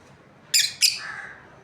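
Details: Breeding pair of lovebirds: two quick raspy chirps in fast succession, followed by a softer trailing lower note.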